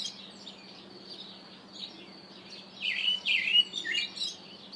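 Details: Calls of a Karoo thrush: soft high notes at first, then a loud run of rich, slurred warbling phrases in the second half, some dropping in pitch, with a faint constant hum behind.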